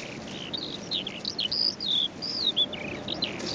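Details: Calandra lark singing on the Golan Heights, Israel, on 11 April 2011: a fast, continuous outpouring of high, twisting whistles and chirps, with sliding notes and short trills following each other without pause.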